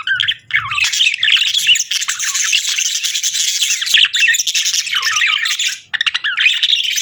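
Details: Sweet chirping of budgies, a nearly unbroken, busy warble of scratchy chirps, clicks and rising whistles that runs for several seconds, ending in a few sharp chirps.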